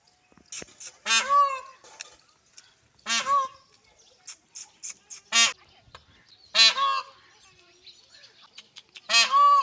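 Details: Peahen of the Indian peafowl searching for a peacock, giving loud, brassy, honking calls with many harmonics, each falling at the end, repeated about every two to three seconds, with soft clicks between calls.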